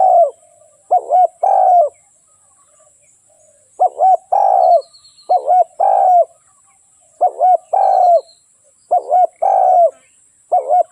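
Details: Spotted dove giving repeated low cooing phrases, each a pair of quick coos followed by a longer mellow note, about six phrases in eleven seconds over a constant thin high hum.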